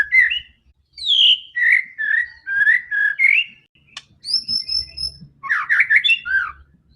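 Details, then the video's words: White-rumped shama in full, fierce fighting song meant to provoke other shamas. Rich whistled notes in a run of phrases, then a high thin trill and a burst of rapid scratchy notes, with faint low rumble beneath. "MURAI BATU GACOR‼️ SANGAT FIGHTER DAN GANAS UNTUK PANCINGAN MURAI ANDA"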